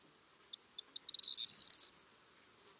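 A corn bunting sings: a few spaced ticks speed up into a dry, high, jangling rattle like shaken keys, about two seconds long, with a short tail.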